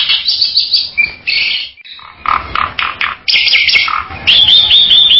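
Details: Bali myna uttering rapid harsh chattering and squawking notes interspersed with bright whistled phrases, loud and close, with few pauses.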